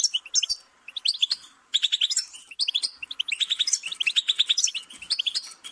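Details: Animated goldfinch song of crisp repeated chirps and buzzy trilled notes, broken by a short silence early on before a long, dense, jangling run.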